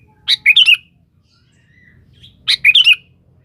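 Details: Sooty-headed bulbul song, used as a lure calling a rival: two short bursts of bright, bubbly, warbled notes, each phrase about half a second, separated by a two-second pause with a faint low whistle between.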